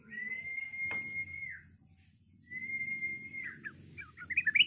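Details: White-rumped shama used as a lure to provoke other birds to fight and sing: two long, steady, pure whistles on one pitch, each fading out, then a few short chirps, over a low background rumble.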